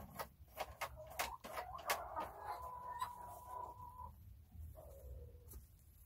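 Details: Chickens at ease in their coop: a few sharp clicks and taps lead into a long, level, whining call held for about two seconds, then a shorter falling note, with a low hum underneath.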